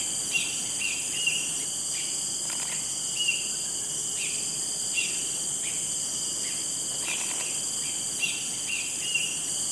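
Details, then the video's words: Talkative Cinereous Bulbul in Singapore, where it is a rare non-breeding visitor, giving brief clipped notes in an irregular series, some paired, about one to two per second. A partner is heard at times, and a constant shrill insect drone runs throughout. "Bird Call: CINEREOUS BULBUL"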